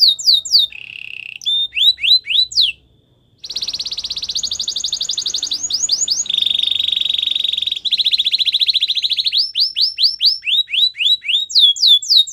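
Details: White canary singing a training song: swept whistles and a short low trill, a brief pause, then long rapid rolls shifting between pitches before more looping whistled sweeps.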